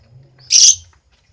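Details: Lovebird giving a single short, harsh, high-pitched screech lasting under half a second, with a quiet background.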